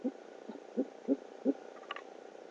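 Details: Great horned owls at a nest cam in Oklahoma City around 9:30 pm on 12 February 2013, as the male brings a rodent to the female: five deep, soft hoots in about a second and a half, then a brief higher scratchy squeak, with background hiss.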